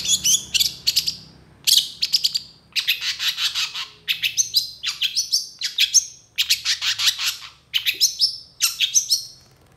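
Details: Vigorous long-tailed shrike song with full mimicry, quick to react to another shrike: dense bursts of scratchy, high chattering notes and sharp falling whistles, delivered in phrases roughly every second with short gaps.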